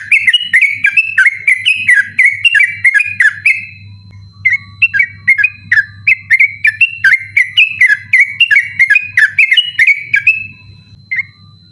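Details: Sooty-headed bulbul in long, persistent night song, intended as a master recording for other birds; dense chatter of rapid whistled notes, pausing briefly, then another extended run before fading, with a constant low hum.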